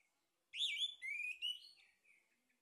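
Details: Singing male orange-headed thrush, lure for stimulating song: a loud looping whistle then a long rising slurred whistle, ending in quieter lower warbled notes.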